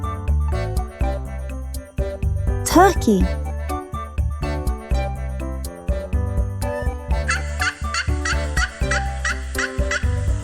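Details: Turkey gobbling once in a brief, rapid, warbling burst that tumbles downward, set against steady cheerful children's music with percussion and bright chiming notes throughout.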